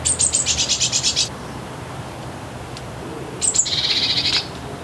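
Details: Eurasian Blue Tit alarm call in a Hampshire, UK garden in 2020: two bursts of high, churring, rapidly repeated scolding notes about a second long, split by a quiet pause; other birds go on alert or leave on hearing it.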